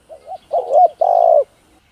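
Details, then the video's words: Spotted dove (cu gáy, cu đất) cooing in a full sequence of calling, urging and soft cooing styles, used to stimulate kept doves. Two soft low coos lead into two louder, longer coos, the last drawn out and steady. No other sounds. "Tiếng Cu Gáy Giọng Hạp BổI ĐỦ BÀI [ GÁY GỌI,THÚC,GÙ ]Kích Bổi Nhanh Nổi"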